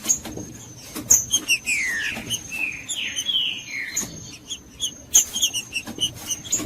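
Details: Green-winged saltator song played to stimulate birds to sing: a series of loud, rich, descending slurred whistles in the middle of the clip, with sharp clicks and a thin steady high tone throughout.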